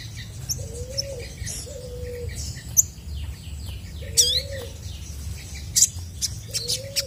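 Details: Actively singing chestnut-backed scimitar babbler, whose song is used to provoke answers from other birds: four low, slightly rising whistled hoots spaced a second or more apart, with scattered high trills and squeaky notes from other birds.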